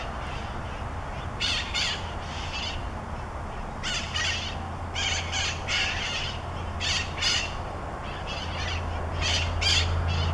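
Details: Wild conures, bright green parrots visiting in Pasadena, Southern California, giving loud calls: harsh, raspy squawks in short bursts of two or three, repeated irregularly over several seconds above a steady low hum.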